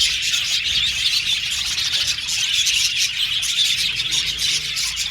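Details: Chirping budgerigars making contact calls for companionship; steady high-pitched twittering chatter with rapid overlapping chirps throughout, no gaps.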